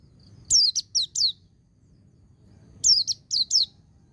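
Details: Two bursts of white-eye song used for training, each a rapid string of four high, falling whistled notes, with a brief silent gap between bursts and a low hum underneath.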